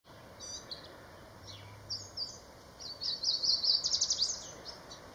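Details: Yellow warbler in southern Maine in June 2024, in the breeding season once territories are set. It sings a bright, high phrase of sweet whistled notes that quicken into a rapid run at the end, over a low steady background hiss.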